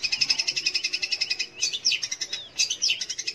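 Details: Lure song of a long-tailed shrike, locally cendet or pentet, meant to get young or non-singing shrikes to sing: a steady run of quick, high chattering notes giving way to twisting, slurred whistled phrases.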